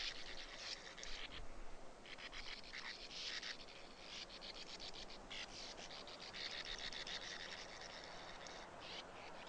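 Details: Sand martin calls: harsh rasping chatter in rapid stuttering runs, several birds overlapping, with short pauses and faint low background noise.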